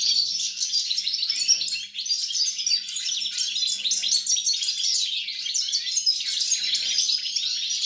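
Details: European goldfinch song recorded on 29 December 2022: a continuous, fast, tinkling twitter of high, jangling notes, with a faint steady low hum in the background.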